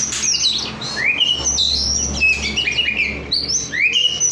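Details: Oriental magpie-robin (kacer) singing: a rich, varied run of loud whistled phrases, rising slurs and quick chirps between mid and high pitch, delivered continuously with short clipped notes and a low background hum.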